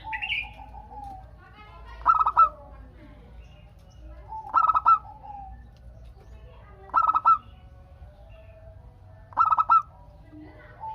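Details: Local Indonesian zebra dove in full song, used as a lure so other zebra doves answer. Four loud stuttering cooed phrases arrive about every two and a half seconds, with softer drawn-out coos from other doves between them.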